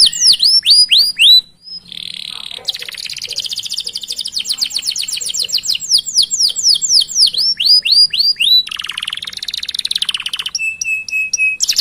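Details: Canary singing a long 'cuit-cuit ngerol' song to prompt others: downslurred whistles, a buzzy phrase, a long, fast rolling trill, then a nasal note and a few steady, flat whistles.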